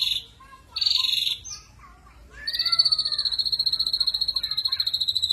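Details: Ashy drongo 'tembakan kasar' song: a few high scratchy notes and soft lower whistles lead into a sustained, steady, rapidly pulsed high trill lasting nearly three seconds to the end.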